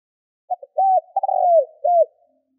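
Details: Lure spotted dove's single soft, low coo phrase meant to draw wild doves: short double note, rounded coo, drawn-out burry descending coo, closing arched note; no other sounds.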